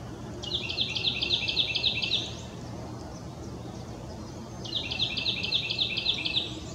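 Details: A Carolina wren at Deerlick Creek, Brookbanks Ravine, Toronto, on 24 April 2020 sings two rolling bursts of six or seven quick, ringing repeated phrases, each about two seconds, over a low rumble, while Hermit thrushes forage nearby.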